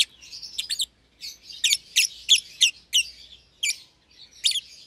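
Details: Two young caged lovebirds, euwing green opaline and red-eyed albino, seen feeding each other; harsh high chirps repeated roughly three per second over a constant chattering twitter.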